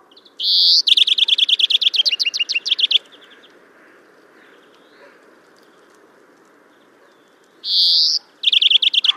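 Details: European greenfinch song from Kholm in Russia's Novgorod oblast, April 2015. A buzzy wheeze runs straight into a rapid rattling trill lasting about two seconds. After a long gap a further wheeze and trill begin.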